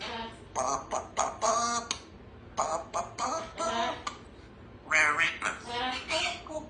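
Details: Female Congo African grey parrot, a pet kept in a country home, practising words in the morning. Short speech-like phrases come in quick bursts with brief pauses, mixed with a squawky note, voicing phrases such as "I love you" and "give me a kiss".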